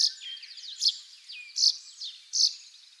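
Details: Russet sparrow song from Hokkaido, Japan: four quick, bright chirps within three seconds, linked by thin, descending twittered notes.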